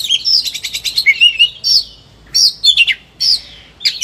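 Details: Agitated, high-emotion Oriental magpie-robin (kacer) pouring out a varied repertoire, used for training or provoking reluctant birds: rapid sweet whistles and chattering trills in quick bursts, then sharp separate phrases with pauses between.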